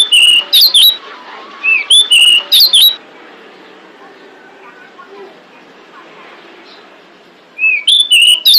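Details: Female pied bushchat calling to lure males: two quick phrases of bright whistled chirps early on, a long quiet stretch with low murmur, then the phrase begins again at the end.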